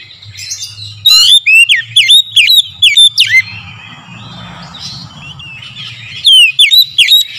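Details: Oriental magpie-robin singing in the morning as a lure to prompt other birds to sing: a rapid run of loud ringing whistles with fast downward sweeps, a quieter rustling warble in the middle, then another bright whistled burst.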